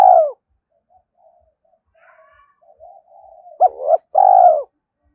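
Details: Spotted dove decoy coo aimed at luring wild males: the end of one coo, soft scattered chirps from other birds, then a sharp double note and a long, deep, trembling coo.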